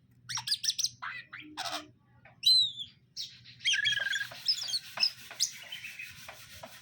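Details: Caged greater green leafbirds, male and female, during pairing: rapid clipped chips, a bright slurred whistle, then a dense burst of scratchy, buzzy chatter with mixed whistled notes.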